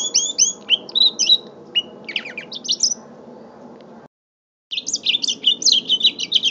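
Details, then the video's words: Song of a mule canary aged five months: quick sequences of upswept and downslurred chirps and trills, a brief break about four seconds in, then the twittering resumes, over a soft low background hum. "My 5 months old mule canary"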